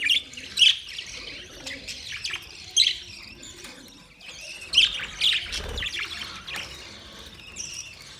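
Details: Budgerigars chirping: bursts of high, scratchy chirps and squeaky notes, loud at first, then softer chatter between louder peaks, with a faint low rumble in the background.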